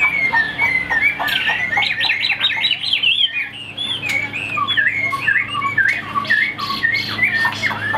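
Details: Chinese hwamei in full song, pouring out rapid, varied whistled and slurred phrases without pause, notes jumping between mid and high pitch; a steady low electrical hum and faint room noise underneath.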